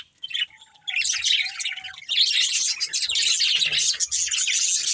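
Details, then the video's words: Budgerigar breeding pair kept as pets, chattering after a quiet start: rapid, buzzy, warbling chirps and squeaks run together without break, with brief low knocks underneath. "Cute Budgies Chirping Sounds"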